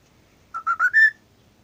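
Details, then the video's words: Pet cockatiel, said to sing all day and to imitate a WhatsApp sound, gives four clear whistled notes that step upward and end on a longer high tone, in a quiet room. "Calopsita Nino... Falando e imitando o som do watzap..."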